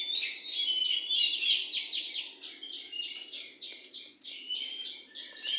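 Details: A wild oriental magpie-robin sings tirelessly close to a house, pouring out fast, rhythmic chirps interspersed with sweet, drawn-out whistles at a high pitch, with soft background noise.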